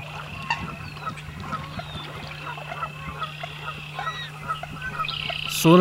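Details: American coots, gregarious and noisy wetland birds, in a marsh: repeated short honking clucks, with high slurred whistles from other marsh birds, a steady low hum throughout, and a loud burst of sound at the very end.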